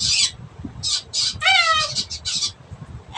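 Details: Noisy blue-and-yellow macaw giving a string of short, hoarse, screechy bursts, with one longer, more tonal call that slides downward in the middle, over a faint low hum.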